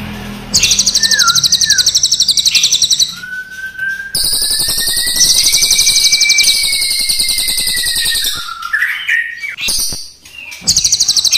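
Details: Crested jay, black and brown types pitted against each other, singing long rolls: dense high rattling trains run for several seconds alongside a long clear whistle that slowly rises, with brief slurred whistled notes between bursts.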